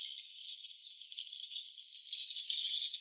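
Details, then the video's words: High, insect-like rattling chatter of swiftlets at the nest, steady rapid twittering that grows louder in the second half. "suara sarang burung walet ( swiftlet sound )"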